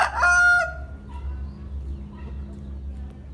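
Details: A morning rooster gives a single strong crow in the first second that trails off into a fading tail, followed by quiet low hum and faint background sounds.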